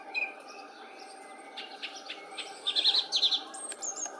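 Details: A song thrush (Turdus philomelos) sings a burst of high, clipped notes in a tight repeated phrase, with thin whistles from other birds around it.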